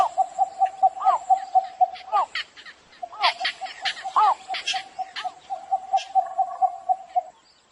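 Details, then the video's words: Cinnamon bittern heard in the morning giving a fast string of even, mid-pitched notes for about seven seconds. Looping upswept notes and bursts of chirping overlap the series before it stops. "Tiếng cò lửa hay đánh buổi sáng CÒ LỬA GỐC, tiếng cò lửa chuẩn"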